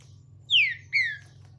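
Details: Captive green-winged saltator, opaline mutation, singing the virada Caratinga style while perched on a person's finger: two loud, clear whistles, each falling in pitch, over a steady low hum.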